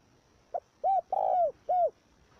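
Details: Spotted dove luring call for training young decoy birds: a single phrase, one short note then three mellow arched coos, the middle one longest, with light background noise throughout.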